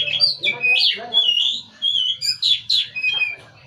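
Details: Oriental magpie-robin pouring out a rich, varied song of clear whistles, harsh slurs and quick downward sweeps in steady bursts, with faint low rumbling behind.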